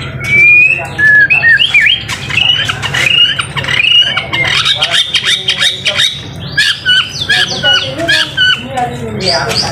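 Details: White-rumped shama delivering a dense, hurried masteran song: many short whistled and squeaky notes, chattering bursts and harsh squawky elements packed together, with faint low background noise throughout.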